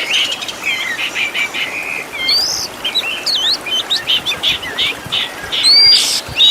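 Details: Oriental magpie-robin, called kacer, on a master recording with 'tembakan' fill-ins for training caged birds: separated chirps and short whistles, occasional sweeping upslurs, and a loud bright whistle near the end.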